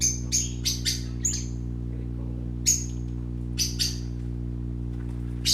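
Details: Short bright chirps from playing parakeet babies come in a quick cluster of four, then singly and in pairs with gaps, over a continuous low hum.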